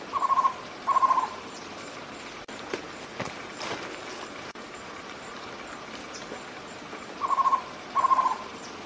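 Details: Cuban trogon, or tocororo, calling: short paired bursts of rapid stuttering low notes, two near the start and two near the end, with faint background rustling and knocks between them.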